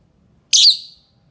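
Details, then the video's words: Single harsh, high-pitched screech from a lovebird, a call meant to attract other lovebirds, about half a second long and sliding slightly down before fading into silence. "Suara lovebird ampuh untuk pancing lovebird lain"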